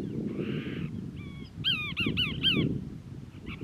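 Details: Cassin's Kingbird from a family group in Moro Canyon, Crystal Cove State Park, California, 19 December 2021; a buzzy note and two thin whistles lead into four quick, ringing, arched notes, with steady low wind rumble beneath.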